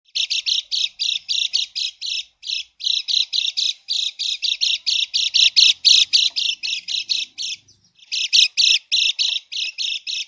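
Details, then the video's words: Lemon-bellied white-eye giving a krekek lure call, meant to provoke silent birds into answering: a fast run of harsh, buzzy chattering notes, about three to four per second, with a brief pause near eight seconds. "kecial kuning krekek pikat kecial kuning macet total atau malas bunyi 99%√ nyaut lawan"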